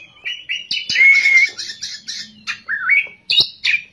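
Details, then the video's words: White-rumped shama, described as a kacer gacor singing in ngerol and nembak style, giving loud varied song phrases: sweet whistles near steady pitch, buzzy notes and sharp rising strokes, with short pauses between bursts. "kacer gacor ngerol,nembak"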